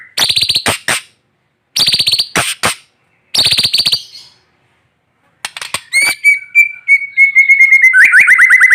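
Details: White-rumped shama singing during morning sunning, meant to prompt silent shamas: three bursts of harsh, rattling chatter separated by pauses, then a long rapid trill of repeated whistled notes.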